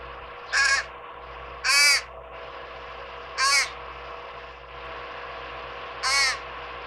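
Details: Fledgling fish crows at a summer birdbath begging from their parents for peanuts, months after leaving the nest: four harsh, nasal, rasping calls spaced about one to two seconds apart over a steady low background hum.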